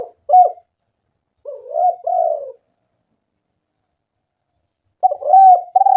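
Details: Spotted dove coos meant to coax other doves into calling. A short note, then a soft two-part coo after a second, a long silence, and finally a louder, buzzy coo phrase. Nothing else audible.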